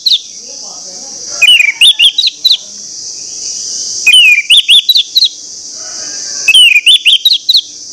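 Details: Lure song of an orange-headed thrush, sung to provoke rival males: three similar phrases of quick looping whistles about every two and a half seconds over a steady high shrill background hum.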